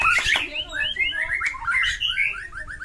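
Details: White-rumped shama in fighting mood with a rich varied song: a harsh burst opening into a run of short upslurred whistles repeated several times a second, interspersed with buzzy twitters.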